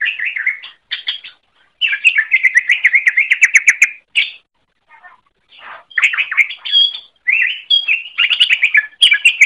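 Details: Long master song of a greater green leafbird for teaching other birds, made of fast repeated chattering notes, a few whistled accents and brief pauses between energetic warbled runs.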